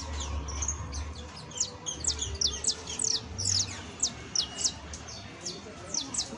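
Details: Saffron finch giving spaced, sharp high downward chirps that speed into short bursts, somewhat softer, with a low humming background and faint noise.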